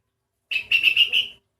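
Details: A sooty-headed bulbul with an oddly different voice sings five rapid whistled notes run together into a bubbly phrase, clear and ringing, the last note slightly drawn out, with no other sounds around.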